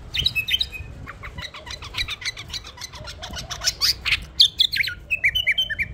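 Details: Pet bulbul, tame, with dense clicking and fluttering noises first, then a few bright whistled notes and a quick series of short chirps near the end.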